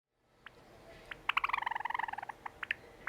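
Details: A pet Sakura Java sparrow sings indoors, a rapid run of bell-like double notes, about fifteen a second, between scattered single clicks, in a quiet room; early in the recording it is not yet singing properly.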